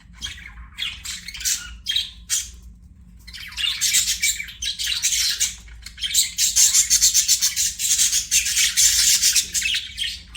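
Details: Pet budgie chirps: rapid clipped chirps at first, then a long continuous scratchy warbling chatter, high-pitched and buzzy with squeaky notes, over a faint steady low hum.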